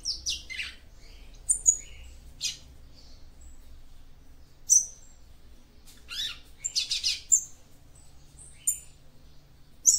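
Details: Female capped seedeater's song meant to excite the male: scattered sharp, high chirps and thin whistled squeaks in loose groups of two or three, with quiet gaps between and a faint background hum.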